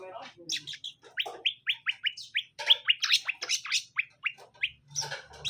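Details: Greater green leafbird, a caged male and female being introduced to pair them: a loud, fast series of sharp down-slurred whistles, about three per second, mixed with chattering bursts, over a faint low hum.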